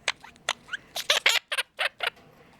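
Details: Pet male Quaker (monk) parakeet talking in quick, raspy, word-like bursts mimicking human speech, saying phrases like "step up" and "pretty boy/pretty bird", and laughing after biting its owner.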